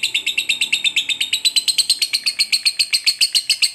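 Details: Fighter lovebird's extended ngekek, a trill meant to stir another lovebird to fight: steady, high, scratchy notes pulsing about eight per second without a break.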